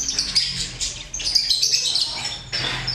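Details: Lovebirds kept in a colony breeding system: busy overlapping high chirps and squeaky twitters from several birds, with a low hum in the background.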